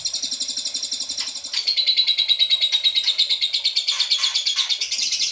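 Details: Ashy tailorbird lure call meant to make other birds answer: dense, fast series of high, sharp chirping notes, strengthening after the first second and running on continuously, with overlapping bright, buzzy trills.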